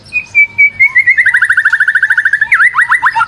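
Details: White-rumped shama song for use as a lure: a clear held whistle that turns into a fast, pulsing trill, ending with a few dropping, swooping notes.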